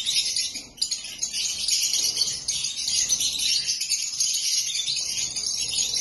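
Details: Shrill, bright chirping from several black-masked lovebirds, a continuous jingling chatter after a brief lull near the first second.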